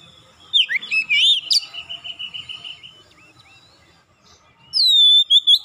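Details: Oriental magpie-robin singing as a lure to prompt other magpie-robins to sing: a burst of sharp chattering notes, then a fast even trill, a pause, and the start of a loud, pure, downslurred whistle.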